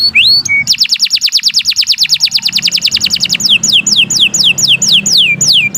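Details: Canary singing for training: a quick rising sweep and short note, then a long rapid trill of about twenty-five even pulses, followed by evenly spaced falling whistled slurs, with soft low background rumble.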